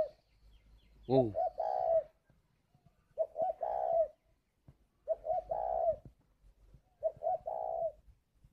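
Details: Repeated calling coos from a caged spotted dove at a bird farm in Ba Vì, Hanoi, Vietnam. Four phrases come roughly every two seconds, each short-short-long and mellow. A man's 'ô' overlaps the first.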